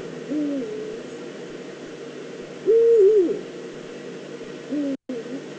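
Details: Eurasian eagle-owl in the Eifel, likely a female calling at her nest scrape, 22 September 2014: three calls spaced about two seconds apart, the middle one loudest and wavering, the others softer and two-toned.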